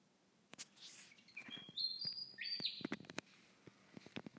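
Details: Bird whistling at night from a windowsill, calling most of the night with occasional breaks: brief high, clear whistled notes, some flat and some rising, between sharp clicks and taps against a quiet background.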